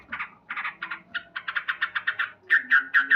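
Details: Male sooty-headed bulbul in loud morning song: a fast, even series of harsh cuk notes, about four per second, closing with clearer whistled ones.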